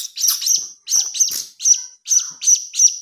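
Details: Begging young blue-crowned hanging parrot, heard as a lure: bright, piercing chirps grouped in pairs and triplets, with short gaps between groups.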